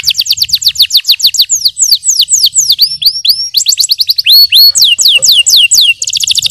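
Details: Yellow canary performing a training song: long rapid trills of high descending notes, broken by looping and rising whistles, then a very fast rattling trill at the close.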